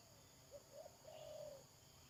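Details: Decoy spotted dove during a trapping session on 31 May 2022, giving a faint phrase of one short coo, a quick double note, then a long, level, mellow coo over steady background hiss.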